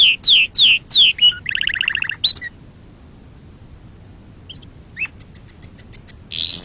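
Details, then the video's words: Canary singing to rouse other birds and teach chicks: loud falling whistles, a fast buzzy trill, quiet gap, then evenly spaced high ticks and a final rising note. "صوت تغريد عصفور الكناري لتهييج طيورك وتعليم الفراخ"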